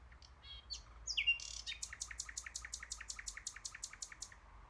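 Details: Common nightingale singing: a few varied chirps and a sharp rising note, then a rapid, evenly repeated series of short, high, clicking notes, about four per second.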